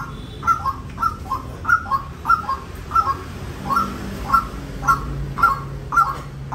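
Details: Paired, stuttering croaks from a white-breasted waterhen, each beat a doubled hoarse note, repeated steadily about twice a second over a low hum.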